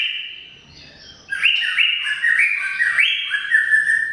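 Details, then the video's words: Cucak ijo, the greater green leafbird, singing long 'gacor' chatter: a steady whistle, then from about 1.3 seconds a dense run of bright rising slurs and quick pitch jumps in a continuous flowing stream. "Suara Kicau CUCAK IJO Gacor Panjang Khusus Untuk Cucak IJO Yang mogok NGOCEH"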